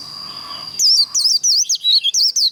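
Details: Short excerpt of a white-eye's 'líu' contest song, used to train and provoke birds to sing: after a steady thin tone, quick high squeaky notes with sweeping twists follow one another rapidly.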